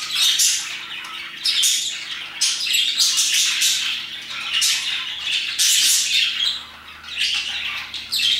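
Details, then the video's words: Parakeets singing their hearts out around 2pm, repeated surges of scratchy high-pitched chirps and squawks about every second, many birds calling at once over a low hum. "Parakeets chirping and singing their hearts out"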